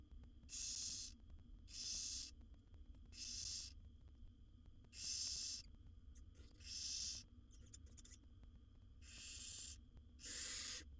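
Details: Wild barn owl owlets, seven young in a monitored nest box, begging while their mother feeds them; harsh broadband hissing screeches, each under a second, repeated roughly every one and a half seconds, with faint clicks and steady low hum between.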